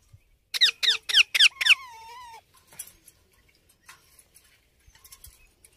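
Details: Baby Indian ringneck parakeet calling: five loud, harsh squeaks, each sweeping downward, fired rapidly over about a second. A drawn-out lower tonal note follows, then scattered faint chirps and squeaks.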